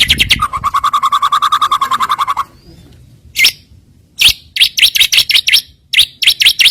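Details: White-rumped shama filler song used as a lure to provoke rival birds, a fast buzzy pulsed trill held near one pitch, then a pause followed by sharp high chips and quick whistled notes in uneven bursts.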